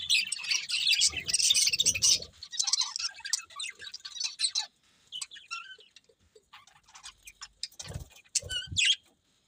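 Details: Budgies chirping: a loud burst of scratchy warbling at first, then sparse short squeaks and chirps with quiet gaps, and a few sharp louder chirps near the end.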